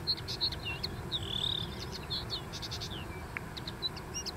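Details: A common linnet sings on a dune: a fast, high twittering run of varied chirps with one drawn-out warbled note, over a steady low rumble of wind or surf.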